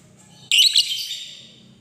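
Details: Lovebird lure call aimed at a rival: one sudden, loud, raspy screech with a sharp onset that fades over about a second.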